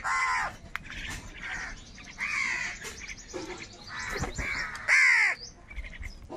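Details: Crows in a flock fighting over food; harsh nasal caws at intervals, one very loud caw near the end, with fainter crows calling behind.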